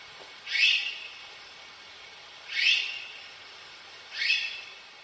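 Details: Azure-winged magpie giving three drawn-out, raspy rising calls, each swelling then fading, spaced roughly every two seconds against a quiet background.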